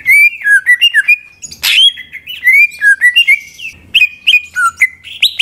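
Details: Greater green leafbird song used as a lure to rouse other leafbirds into singing: rich whistled notes around mid-high pitch, slurred up and down, with fast chirps and a harsh burst near the middle.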